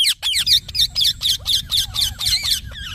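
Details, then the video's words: Parrot chirping in a fast, steady series of bright, wavering high notes, about two per second, each note twisting up and down, with a faint low background hum. "Talking Parrot Chirping Sounds"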